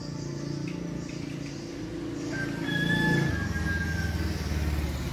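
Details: Crow of a seven-month-old red junglefowl decoy rooster in Bom Bo, Bình Phước province, Vietnam: a two-second harmonic crow with a level pitch, partly masked by a loud, droning vehicle engine.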